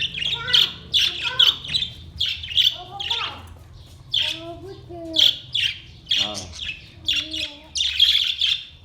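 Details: Budgerigar singing recorded 22 May 2023: a chattering run of scratchy high chirps mixed with lower whistled, wavering notes and a few nasal harmonic calls.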